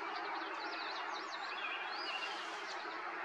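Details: Song sparrow singing in May in Ontario, Canada, captured with a Nikon Coolpix P1000: a quick run of high, slurred, bouncing notes, then a longer clear whistled phrase, all over a steady broadband background hiss.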